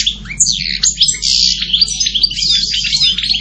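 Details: A goldfinch pours out a fast, tinkling, liquid warble of high slurred notes, almost unbroken from start to finish.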